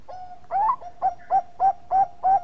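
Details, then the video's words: Bangkok-type zebra dove in full song, used as a lure to set other doves singing; six short, mellow cooing notes spaced about every third of a second, the first slightly rising, over a faint steady hum. "Perkutut bangkok gacor Suara Mas Jagonya Pancingan"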